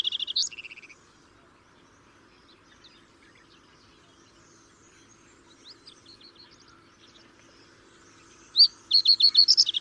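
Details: Common reed bunting (Emberiza schoeniclus): a brief burst of high chirps opens, then near silence with faint distant notes, before a quick run of bright, clipped high notes closes.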